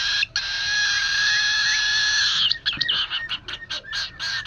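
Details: Cockatiel chicks crying from hunger, noisy when hungry: a long, continuous harsh rasping cry, then rapid pulsed squeaky begging notes, several per second.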